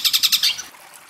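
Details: Caged-bird training master of a long-tailed shrike (cendet) in the kuntilanak sambung gereja tarung style: five quick, harsh, scratchy chattering notes, then a fading softer tail.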